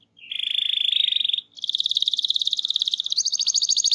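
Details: Rolling canary song meant to stimulate other canaries to sing: a dense buzzy trill held for over a second, a brief pause, then a faster pulsing roll and a higher trill, clean with no background noise.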